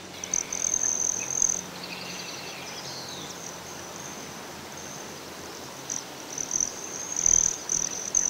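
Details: High, thin buzzing trill of a broad-tailed hummingbird at Great Sand Dunes, Colorado, loud for the first second and a half, then a quiet stretch with faint chirps before the buzzing bursts return near the end.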